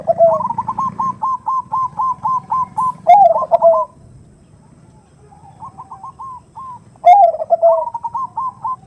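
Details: Zebra dove hen calling a male, 'nutut' lure call: runs of crisp, evenly spaced short cooing notes punctuated by louder, deeper rolling coo phrases, with a quiet gap between bouts.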